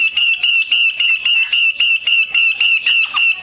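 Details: Female Chinese hwamei calling to stimulate male hwameis to sing: a fast, steady run of short, clear, ringing notes, nearly four per second, on one pitch with bright overtones. The notes come in even pulses throughout.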